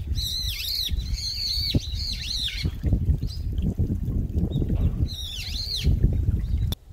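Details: A noisy Brown-eared bulbul calls near a mountain stream in a Bucheon park, South Korea, during late autumn. Three harsh, screechy, dipping calls in quick succession, a pause filled with water rumble, then one more swooping squeal.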